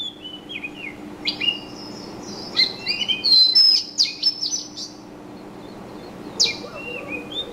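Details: Scattered high chirps and whistled slides gather into a loud twittering burst between about three and four and a half seconds, followed by quieter, occasional notes over a faint hum.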